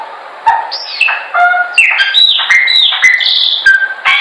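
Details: Training song of a Chopi blackbird: a lively, varied string of ringing whistles, upslurs and down-slurred notes, with sharp clicks between phrases, delivered quickly and without a break.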